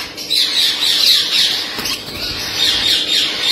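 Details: Shrill, grating screeches of a blue-headed rainbow lorikeet parrot run on continuously in rapid, uneven bursts, high-pitched and piercing throughout this short stretch.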